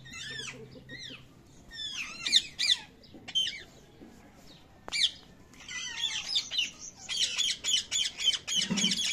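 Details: Young parrot chicks calling: bursts of bent, squeaky harmonic chirps at first, then dense rapid raspy squawking repeated several times a second, with a low thud near the end.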